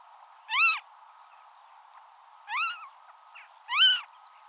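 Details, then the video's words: Wild Western marsh harrier (Circus aeruginosus): three thin, arched, whistled notes, each rising then falling, spaced about every one and a half seconds, over a steady faint hiss. "Marsh Harrier Sound – Song & Bird Calls"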